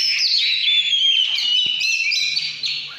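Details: Oriental magpie-robin in căn lửa style: a short, dense run of bright whistles sliding and wavering without pause, fading slightly at the end.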